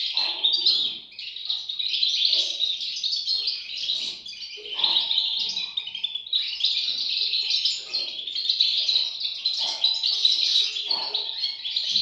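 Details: European goldfinch chicks chattering nonstop in a bright, high-pitched tangle of quick chirps and buzzy notes, rising and falling in loudness over twelve seconds.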